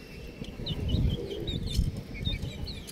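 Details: Baby chickens chirping: a steady string of short, high, slightly down-slurred peeps from several chicks, about three or four a second, over low rumbling and rustling.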